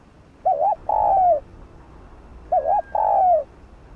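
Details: Spotted dove calling to stir decoy birds into answering, a bird of village fields: two identical phrases about two seconds apart, each a quick wavering double-note coo then a long smooth falling coo, over quiet background.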